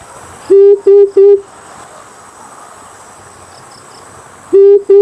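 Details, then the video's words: An amethyst brown fruit dove gives low, hollow, even hoots: three in quick succession, a pause of about three seconds, then two more, over a steady insect hum. "Amethyst brown fruit dove🕊️ClearSound perfect for Bluetooth Call Sound"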